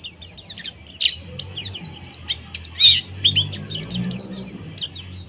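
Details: Mountain white-eye in its rough ngeriwik kasar chirping, a busy stream of shrill, scratchy twitters and downward-sweeping notes in short bursts, with a soft low-pitched hum underneath.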